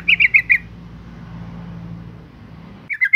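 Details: Yellow-vented bulbul female giving a bait call for males: a rapid run of four chirpy notes, then a low rumbling background for two seconds, then another short burst of chattering notes.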